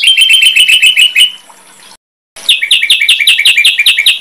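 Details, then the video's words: Songbird recorded as a master song for training competition birds: loud, high, rapid repeated chirps near the top of the range, a short pause, then a fast series of sharp paired notes. "SUARA BURUNG MASTERAN BURUNG LOMBA"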